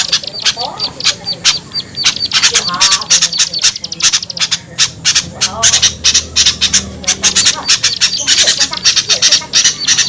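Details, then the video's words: Lure call for drawing in small birds: fast bursts of harsh, high chattering squawks packed closely together, with occasional lower twittering phrases and a faint low hum underneath. "SUARA PIKAT AMPUH UNTUK BURUNG KECIL SUSAH TURUN"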